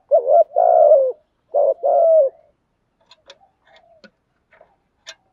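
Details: Spotted dove kept as a decoy and trained to call daily so it excites wild doves: two deep, rolling coo phrases in quick succession, then faint clicks and taps.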